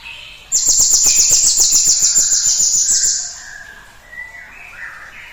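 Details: Cinereous tit in full song for a lure recording that prompts other birds to sing: one long, high, buzzy pulsed trill of about three seconds, followed by softer lower whistled notes from other birds.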